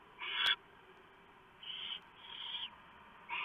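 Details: At 3:59 AM on November 3, 2015, a male barn owl delivers a huge mouse to the nest and the female shreds it for the owlets. Rasping hisses, one loud and several softer, come with a sharp click.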